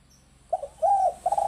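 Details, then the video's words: Brief spotted dove lure call: a couple of short low coos then a longer smooth coo, over a steady low hum and faint hiss. "Suara Tekukur Ampuh Untuk Pikat"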